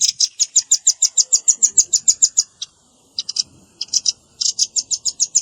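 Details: Luring mix of velvet-fronted nuthatch and juvenile calls: a rapid, regular volley of high, sharp chips, a gap with stuttered clusters, then the fast series resumes.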